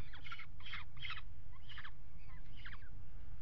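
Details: Peregrine falcons mating on the ledge of a nest box on a water tower in Axel, Netherlands, 5 February 2018. Five harsh, rasping calls come in quick bursts about every half second over a constant low rumble.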